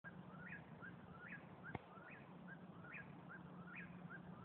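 A Whip-poor-will repeats its whistled, rising three-part phrase about every 1.2 seconds, over a steady low hum with one sharp click.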